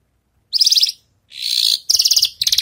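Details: After its moult, a Javan bush lark rehearses song: bursts of rapid, buzzy high trills, one harsher rasping stretch, separated by brief silences.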